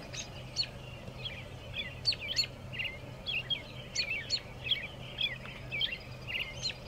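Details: Wild American robin perched on railroad ties by a railway line, Shiloh, Illinois, early April 2024 near dusk, caroling in quick repeated whistled phrases, about two per second, over a faint low drone.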